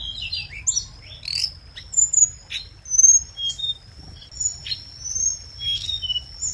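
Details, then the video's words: Scarlet minivet singing, lure recording: scattered thin, high chirps and brief downslurred whistles over a continuous shrill steady tone, with quieter spells between phrases. "Tiếng chim hồng hạnh mồi chuẩn | hồng hạnh hót"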